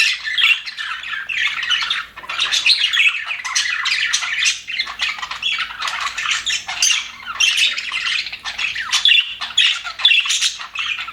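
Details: Steady chorus from cheerful budgerigars kept in an aviary: dense overlapping chirps, squeaky warbles and harsh squawks continuing throughout.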